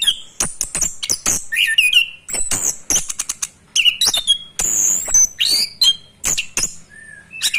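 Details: Orange-headed thrush practising its rolling song, a fast, varied string of thin high whistles, slurred downward notes and harsh clicks with small gaps between phrases.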